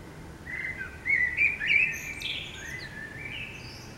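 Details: Common blackbird singing at dawn in a city: a rich, fluty warble of several linked notes peaking midway, trailing off into softer lower phrases, with faint high chirps above and a quiet background hum.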